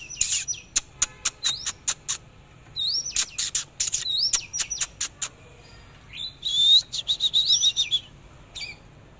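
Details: Oriental magpie-robin in a dancing display, mixing crisp clicking notes with short, clear whistles that swoop upward, and ending on a buzzy, warbled phrase of rapid wavering notes.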